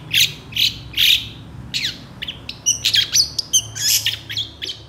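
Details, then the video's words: Long-tailed shrike, fired up and answering other shrikes, in mimicry-filled song: three loud harsh squawks, then a quick jumble of high chirps, slurred whistles and twittering notes. "PENTET GACOR EMOSI CEPAT DI RESPON CENDET LAIN, MASTERAN CENDET FULL ISIAN"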